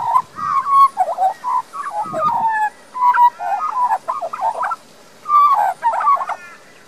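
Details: Young resident Australian magpie singing in a garden in Queensland, Australia, recorded with a Panasonic Lumix LX7 camera; rich warbling phrases of fluted, gurgling notes in short bursts separated by brief pauses, with one lower throaty rasp midway.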